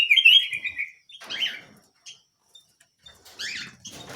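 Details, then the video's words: Small canary singing actively: a bright, high, rolling trill lasting about a second, followed by scattered short chirps and a burst of warbled notes near the end, with quiet gaps between. "BURUNG KENARI MUNGIL GACOR"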